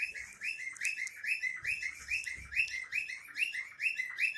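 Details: A cockatiel sings a fast run of rising, slurred whistles, each note curling upward.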